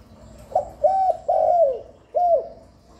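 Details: Spotted dove calling to stimulate and attract doves: a single crisp four-note phrase of soft, hollow coos, the third note long and gliding down, with quiet surroundings.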